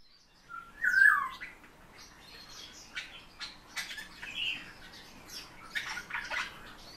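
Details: A kept Eurasian bullfinch gives a soft, low, piping whistle near the start, followed by fainter scattered chirps and short high notes from other small birds.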